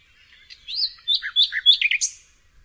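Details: Varied nightingale song phrase of swooping, slurred whistles that rise and dip, several notes in quick succession with brief gaps, sweet and high-pitched.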